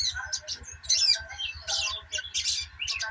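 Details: Sunbird known locally as sogok ontong giving a quick run of high squeaky chirps and scratchy bursts, almost continuous, backed by a constant electrical hum and low rhythmic throbbing.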